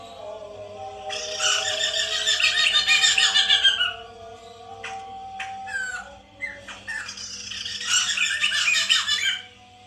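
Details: Captive white-crested laughingthrush recorded to stimulate singing: two long bouts of loud, rapid rattling laughter-like chatter, separated by short sharp clicks and whistled notes.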